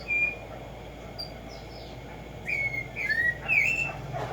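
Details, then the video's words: Tumba Yegua, or Black-striped sparrow, with an opening whistle, a quiet gap, then three linked whistled slurs, level, falling, then rising and wavering, over low steady hiss. "HACER TRINAR a Tumba Yegua Audio para estimular el CANTO a estas bellas aves en la NATURALEZA"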